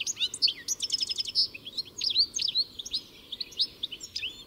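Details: European goldfinch giving a bright, sweet twitter: a quick run of repeated tinkling notes followed by looser, liquid upslurred chirps.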